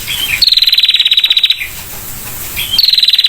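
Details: Female prinia with a clear trill: a soft slurred note leads into a second-long burst of rapid high pulses, then a pause and another trill beginning.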